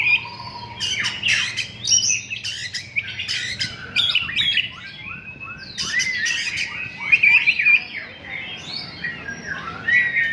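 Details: Oriental magpie-robin (kacer) kept as a songbird, singing its learned repertoire: varied harsh squawks, chattering bursts and clear whistled phrases, mixed with mimicked-sounding notes, over a background hum.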